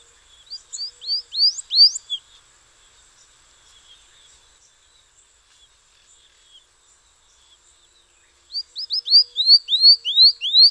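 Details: Morelet's seedeater giving two high song bursts of quick rising whistled slurs separated by about six seconds of near silence. Faint background hiss.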